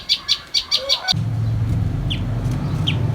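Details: Common tailorbird family at feeding time, parents bringing worms to the nestlings; a quick run of six bright high chirps, then a loud low rumble with two faint descending chirps heard through it.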